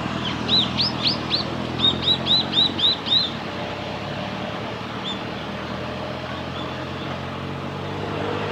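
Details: Japanese waxwings in Hiratsuka, Kanagawa, Japan, on 14 February 2021, give a quick series of thin, high, sibilant notes for about three seconds, then a couple of faint single notes, over a low traffic rumble.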